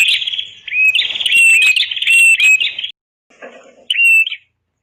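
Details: Red-headed prenjak master song for training other birds: a three-second stretch of intense buzzy chatter with rising whistles, a short pause with a faint lower rasp, then one more whistled buzz.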